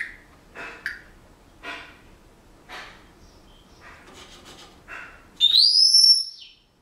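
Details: Pet male Senegal parrot whistling while practicing a song he is learning, among household noises. Several soft breathy bursts come first, then one loud, clear, rising whistle with a bright overtone that bends upward and fades.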